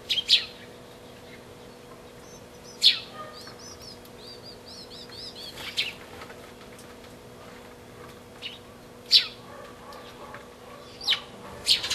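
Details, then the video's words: A pair of sparrows, recorded 20 March 2012: scattered sharp, high chirps a few seconds apart, with a brief run of soft twittering notes in the middle and a faint steady hum. "A pair of sparrows"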